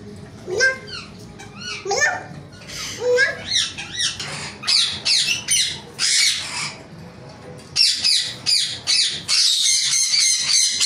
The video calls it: ringneck parrot